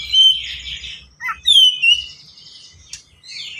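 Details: Oriental magpie-robin singing a quick, dense song of unique fills, used as a lure so learner birds sing and imitate: a high whistle over warbling, short low notes, loud downslurred whistles, then softer chatter.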